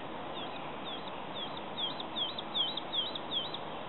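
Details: Woodlark singing in May 2018: a series of soft, liquid notes sliding downward, about two or three each second, swelling midway through, over a steady hiss.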